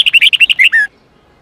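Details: Red-whiskered bulbul singing the 8-9-10 note style meant to train young birds: a rapid series of about eight bright, bouncing whistles that ends in a longer descending slur, then silence.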